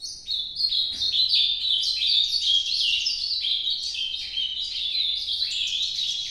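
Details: An Ultramarine grosbeak delivers its Nordeste-style song, a fast, unbroken string of sweet, sliding whistled notes rising and dipping over six seconds, over a quiet low hum.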